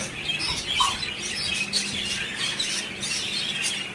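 Budgerigars keep up a busy stream of high, scratchy chirps and warbles.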